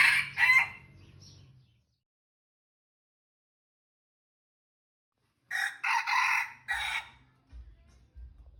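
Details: Red junglefowl kept as decoy birds, three young males described as feisty: a harsh, broken crow of stacked raspy syllables, then silence and a second longer crowing burst, with a low hum and soft thumps underneath.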